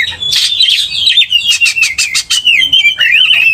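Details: Oriental magpie-robin provoked by a loud rival: harsh rasping bursts at first, then a rapid series of sharp clipped notes over a sustained whistled line, closing with warbled slurs.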